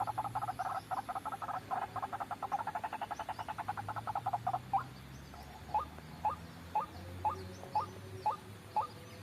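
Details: White-breasted waterhen lure sound for trapping: a fast stuttering run of croaks gives way to separate, sharply rising notes spaced about half a second apart.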